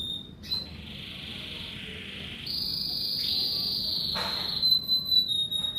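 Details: Kenari merlok canary singing in the morning, a sustained high whistled tone holding steady then stepping up, ending in a quick buzzy flourish, over a faint low background hum.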